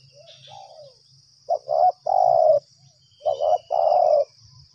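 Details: Spotted dove at a trapping ground reacting to a lure: a faint distant coo, then two loud phrases of quick double notes and a long mellow coo. A low throbbing hum and a continuous high insect drone sit behind.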